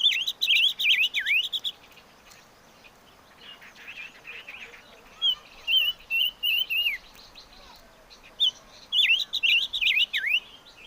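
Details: Chim ngũ sắc singing repeated runs of rapid warbled whistles with sharp downward dips, a softer middle stretch of quieter, rustling notes, then another vigorous run of twisting slurs.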